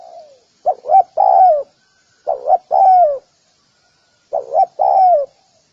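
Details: Three clear phrases from a spotted dove, each a pair of short hooting notes leading into a prolonged downward-curving coo, separated by short silences.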